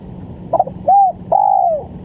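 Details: Spotted dove recorded as a lure for bird trapping: a short stuttered note, then a smooth arched coo and a longer, slightly falling coo, all low and mellow against a quiet background hum.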